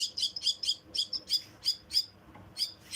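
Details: Myna chicks being fed beg with rapid, harsh, high-pitched rasping calls, several bursts a second, fading briefly before starting again.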